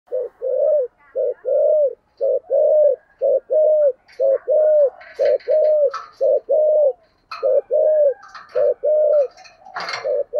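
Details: Spotted dove cooing in the thổ sấm voice style, a rapid thúc gù series: low, hollow coos in short-then-long pairs, repeated about once a second for the whole stretch, with scattered clicks and rattling knocks in the background.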